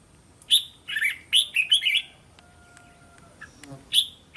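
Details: Training song of a red-whiskered bulbul, meant to coax caged young birds into singing back. A burst of five or so quick, bubbly whistled syllables is followed by a pause with faint thin tones, then one sharp note.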